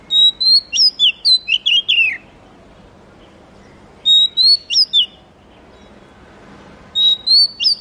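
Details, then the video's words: Oriental magpie-robin singing rapid runs of piercing whistled notes, roughly seven per two-second burst, with silent gaps of about two seconds between bursts. "suara murai kampung/ kacer"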